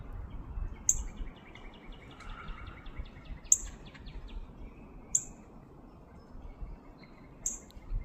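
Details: Northern cardinal giving sharp, high, metallic chip notes, four of them spaced irregularly a second or more apart, over steady background hum, with another bird's rapid rattling trill lower in pitch.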